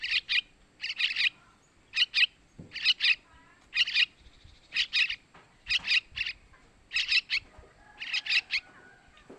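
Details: Fledgling sooty-headed bulbul begging, used to draw in males: sharp paired chirps, high and buzzy, recurring roughly once a second across nine seconds, background quiet.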